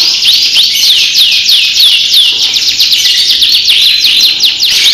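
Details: Prize-winning canary from Pekalongan, Central Java, delivering a giring-style song: a sustained, bright rolling trill, high-pitched and unbroken, with downward-sweeping notes repeated roughly every half second.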